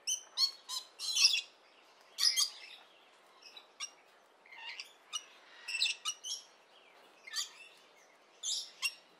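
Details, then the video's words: Rainbow lorikeets chattering with rapid sharp screechy notes and rasping bursts, irregularly spaced, nearly one a second, against a soft constant hiss. "Bird Sounds/Nature Sounds [Rainbow Lorikeets]"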